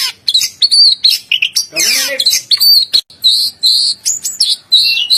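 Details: Kacer, the oriental magpie-robin, delivering short bright whistled phrases and sharp chirps, one rasping downward sweep in the middle, then clear ringing notes repeated in quick succession.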